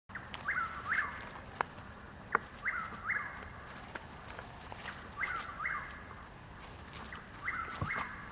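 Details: Chuck-will's-widow calling in woods at Hungryland Slough, Palm Beach County, Florida, on 21 March 2015, two hours before sunrise: a quick, rolling 'chuck-will's-wid-ow' phrase about every two and a half seconds, with a fainter answering phrase and a few sharp clicks.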